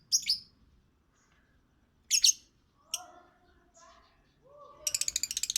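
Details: Lovebird singing with piercing rasping chirps, softer lower warbled notes in between, and a fast buzzy chatter at the close.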